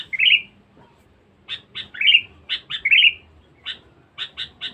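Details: Sooty-headed bulbul kept as a lure bird, described as very vocal and fierce: a rich falling-rising whistled phrase, then a pause, then crisp short notes mixed with two more slurred phrases, ending in quick paired chips.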